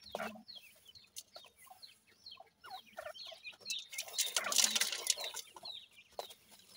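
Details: Dakhni teetar (francolin) chicks giving a fast stream of thin, high, downslurred peeps, several birds overlapping, with brief soft rustles and a louder burst of noise near the end.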